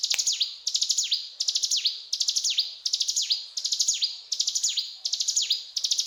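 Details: Mountain tailorbird (ciblek gunung) singing vigorously in the cetrakan style: rapid bursts of high, thin ticking notes, each ending in a sharp downward-swooping whistle, repeated roughly every 0.7 seconds with no other sounds.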